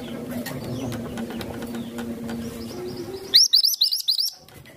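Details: Songbird kept as a tutor, with a voice described as calm and consistent; a short flurry of five or six shrill, upswept chirps closes a passage of low steady hum and scattered faint chirps.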